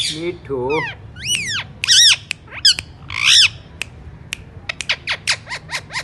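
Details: Alexandrine parakeet with wavering low chatter that turns into loud arched squawks, then a fast series of short, sharp, descending chips toward the end.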